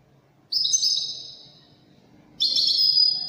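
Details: Moroccan wedani goldfinch song: two clear phrases of fast, buzzy twittering, the second brighter and more jangling, separated by nearly two seconds of quiet.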